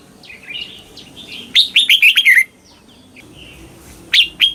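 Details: Red-whiskered bulbul song in the southern Thai master style, played to teach young birds to copy: soft warbled notes, then a loud burst of five quick looping whistled phrases, a quiet pause and two more bright notes.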